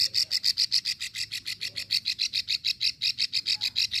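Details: Fast, rattling series of some two dozen high clicking notes from a female plain prinia in Ulujami, Central Java, her long 'ngekrek' call meant to bring males in.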